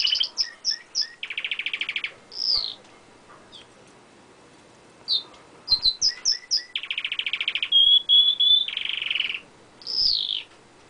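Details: Pet canary singing close up on a window ledge indoors: bright rolling trills, buzzy rapid tours, a few clear sustained whistles and upslurred notes, with short pauses between bursts.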